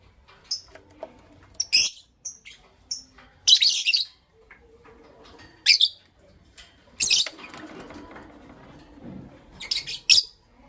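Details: Morning chirping from a Creamino and a Lutino Opaline lovebird: bursts of shrill, scratchy chirps and squeaks arriving in irregular clusters, some short and clipped, others longer and harsh, with quiet gaps between.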